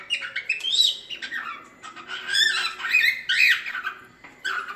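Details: Cockatiel singing in a training recording meant to teach cockatiels to sing: a busy run of warbled, chattering notes and rising whistled phrases, loud and uneven, with short gaps between bursts.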